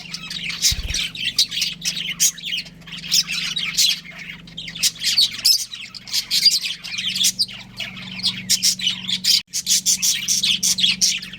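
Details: Chattering budgerigars from a breeding pair, warbling high squawks and quick tweets that run almost without break, a brief knock near the start and a low background hum throughout.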